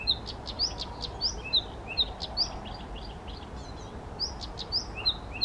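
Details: Spontaneous song of a male Blyth's reed warbler at Bukovský pond, Czech Republic, 19 June 2014; bright upslurred whistled notes repeated steadily about twice a second, interspersed with soft clicks and short chirps.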